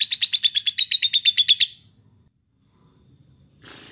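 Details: Lovebird of the timi type in fighter-class training audio; a short rapid trill of about a dozen high, buzzy notes, followed by silence and a faint rustle.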